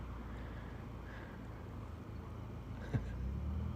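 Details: Low, steady rumble of engine traffic with a single sharp knock near the end and no animal calls.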